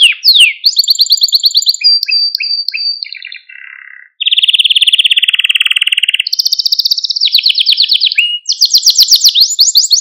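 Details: Malta canary song played to stimulate young canaries: varied phrases of sweeping trills, level whistles and short chirps, then a long loud pulsed rattle, followed by high fast trills of falling notes.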